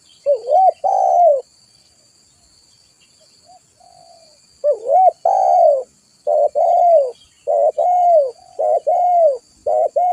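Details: Vigorously calling spotted dove for a trapping lure: two soft coo phrases, a pause, then a rapid run of repeated mellow coos, short hooked notes alternating with longer slurred ones, clean and close.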